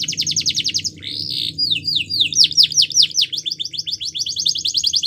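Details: Canary champion song meant to train young birds: a fast buzzy trill, then a run of swooping downslurred notes, then a bright rapid trill, all high and repeated in tours.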